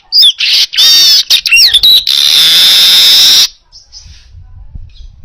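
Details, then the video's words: Baya weaver singing vigorously, clear enough to tutor other birds: bursts of rasping chatter and warbled slurs build into a sustained sizzling wheeze lasting about a second and a half before fading. "Masteran Suara Burung Manyar Gacor Jernih"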